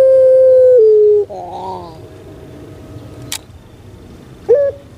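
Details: Caged puter pelung dove from Indonesia sustains a smooth, level coo for about a second that drops slightly at the end, then soft wavering gurgles, a click and a short rising note.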